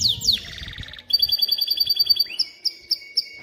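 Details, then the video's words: Male canary singing to teach chicks to sing and prepare females for mating; high descending sweeps lead into a rapid pulsed trill, then a sustained thin whistle and spaced sharp notes. "تغريد طائر كناري خرافي لتعليم الفراخ على الغناء والاناث على التزاوج، Canary singing"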